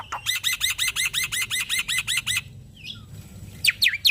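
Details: A male black-winged starling gives master song meant to set other starlings singing: about a dozen harsh, ringing, evenly repeated notes, a short quiet gap with a soft call, then loud sharp chirps.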